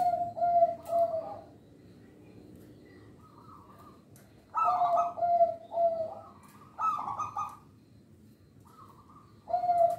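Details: Local zebra dove singing, used to lure and train other birds: soft, mellow, low cooing phrases of a few linked notes, each phrase a couple of seconds long, repeated at intervals of several seconds, with faint background hiss.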